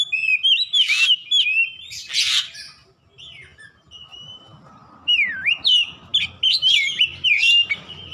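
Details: Kacer (Oriental magpie-robin) 'ngeplong gacor' song for home bird training: loud varied whistles, harsh buzzy bursts, then deep V-shaped swooping whistles and quick bright slurred notes repeated in a fast run.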